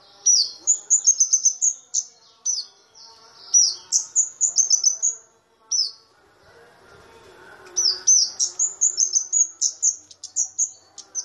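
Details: Kamade, a flowerpecker locally called cabe-cabean, small but loud-voiced, kept as a lure and tutor song for white-eyes: rapid, very high thin chips and short sweeping notes in quick bursts with pauses, over faint low background hum.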